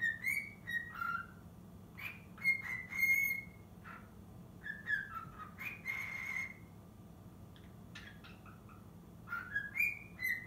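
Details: Young cockatiel, six months, practising the Totoro melody. Repeated whistled phrases with long steady high notes and dips to lower tones, in several groups separated by brief pauses.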